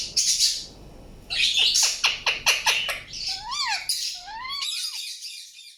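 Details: Indian ringneck parakeet chirping: a harsh squawk, a pause, then a string of sharp rapid chirps, followed by upward and downward sweeping whistled notes and a raspy burst fading out.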